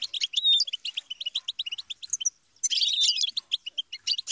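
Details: Goldfinch song of rapid twittering chirps and a few drawn-out whistled slurs, bright and high, broken by a short pause midway.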